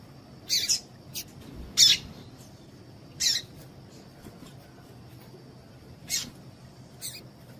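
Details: Female Double-collared Seedeater (coleiro, tui-tui type) calling to excite and stimulate males to sing: short, sharp, very high chirps, about six in seven seconds at irregular gaps, some doubled, over a faint steady high whine and low background hiss.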